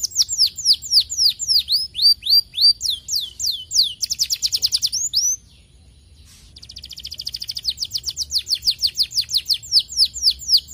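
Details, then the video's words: Canary singing to encourage other, lazy canaries to sing: rhythmic phrases of high falling whistles, a brief pause near six seconds, then a fast, even trill of rapid repeated notes building in loudness. "estimular muito rapidamente o som de canários preguiçosos"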